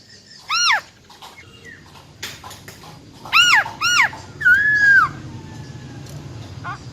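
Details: Female silver-eared laughingthrush with a wild-type voice, whose song is used to rouse males quickly: loud arched, harmonic calls in a cluster, then a long level whistle ending in a downward slur. Faint background hum throughout.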